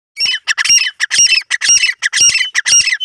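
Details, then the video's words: Grey francolin, known locally as teetar, calling loudly: harsh, squawking, broadband notes delivered in quick grouped bursts, roughly two per second, in a steady repeating rhythm with no other sounds. "Teetar ki awaz"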